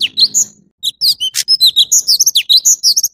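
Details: High, rapid song of an orange-bellied leafbird: short upslurred and downslurred whistles and clicks tumbling quickly after a short silence, with a low faint hum at the start.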